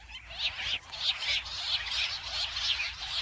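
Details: Jungle bush quail sound played to lure quails into a trap: loud, shrill, repeated high squealing bursts, roughly one and a half per second, throughout, with little low-pitched noise.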